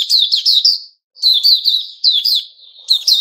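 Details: White-rumped shama (puteh raja) singing the 'buka' song, 29 August 2021. Loud runs of rapid, piercing high whistled notes come in quick clusters, broken by one short pause.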